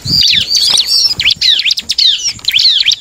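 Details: Bar-winged prinia song meant to make other prinias sing back: a quick, shrill chatter of high whistled and slurred notes in tight groups, with soft low thumps in the background.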